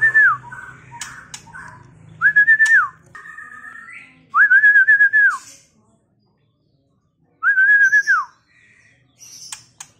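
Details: Male White-rumped Shama of the Medan trotol line singing: loud, clear whistled phrases, each a level fluty note held about a second with a quick drop at the end, separated by pauses, plus softer chips and short high notes between.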